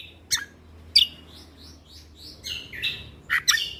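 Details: Lesser green leafbird in gacor mentalan singing: a few sharp chips, then a run of soft rising whistles and harsher burry notes over a steady low hum.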